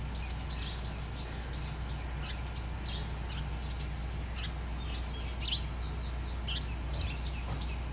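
Eurasian tree sparrows give short, bright chirps in a loose, scattered chatter, over a steady low rumble of background hum.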